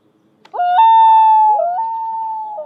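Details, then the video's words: Common loon calling hauntingly, its voice climbing in quick steps to a long sustained wail, breaking briefly, then sliding up again into a second drawn-out, steady note over quiet surroundings. "Loon's HAUNTING Bird Call Will Give You CHILLS"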